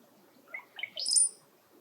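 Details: Brown-headed cowbird calling in a tree: a brief run of liquid, gurgling notes climbing in steps into a thin, piercing high whistle, the whole phrase lasting about one second against a quiet background.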